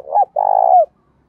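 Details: Spotted dove voiced in the 'thổ pha đồng' manner, a fight-urging song used to train decoy birds: a brief falling note, a short pause, then a long vibrating coo that droops at the close.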